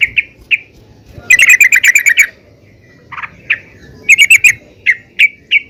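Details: Female yellow-vented bulbul calling other bulbuls; single chirped notes and a fast rattled run of about ten notes, then more spaced chirps.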